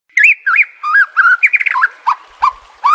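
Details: White-rumped shama song used to train captive birds: a lively run of loud whistled phrases, rising and falling slurs and warbles in quick succession, with short pauses between notes.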